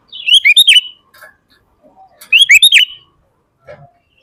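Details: Sooty-headed bulbul, gacor full isian style, used as a lure and master for kutilang: two short, rich, bubbling phrases of quick chirps about two seconds apart, with faint soft notes between.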